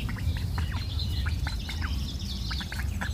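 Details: Four ducklings out walking peep in a busy overlapping chorus of high, sharply falling chirps, several per second, above a heavy low rumble.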